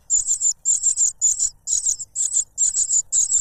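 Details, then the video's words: Cuckoo chick clamouring for food from its foster father, who silences it with a butterfly; piercing high calls come in seven short bursts of two or three pulses, spaced evenly about every half second. "The cuckoo bird is too noisy when trying to grab food杜鹃鸟抢食太吵闹了"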